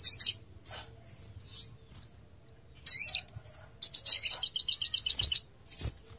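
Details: Bright, sharp chirps from a crimson sunbird (sogon), used to tutor songbirds in Indonesia, then a rapid high buzzy trill lasting over a second.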